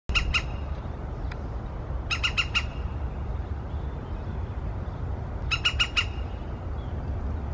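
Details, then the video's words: In the morning, a woodpecker gives sharp, harsh 'kik' notes in quick bursts of three to five, spaced a few seconds apart, over a steady low rumble of wind or distant traffic. "Dzięcioł - poranna aria"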